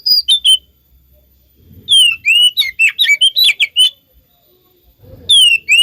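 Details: Lure song of an oriental magpie-robin meant to trigger answering birds: a quick whistled opening, a pause, then a lively series of swooping whistles and sharp notes, ending with a rising whistle.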